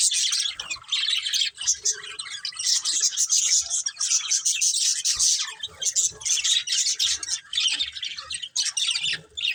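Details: A colourful budgerigar breeding pair keeps up steady rapid high chirping and chattering warble throughout, with small gaps between phrases.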